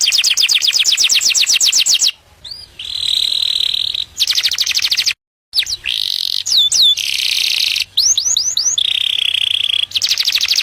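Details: Canary singing to attract a mate: fast trills of rapid notes around high pitch, broken by short silences, with clear upward-sweeping whistles and steady buzzy rolls between bursts.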